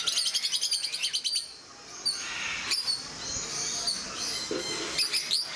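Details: Peach-faced lovebirds, several together at Mysore Zoo, open with a rapid train of about a dozen shrill chirps. Quieter chatter follows, ending in a few sharp squeaks.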